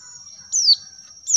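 Oriental white-eye giving a thin, very high whistle that slides downward, then a second high note begins. A steady high ringing tone runs underneath.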